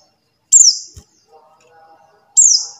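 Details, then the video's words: Buxtoni white-eye uttering a lure call to start silent white-eyes singing: two bright, high, downward-sliding notes nearly two seconds apart, with a click and soft low chatter in between. "suara CALL PLECI BUXTONI | untuk pancingan PLECI MACET BUNYI"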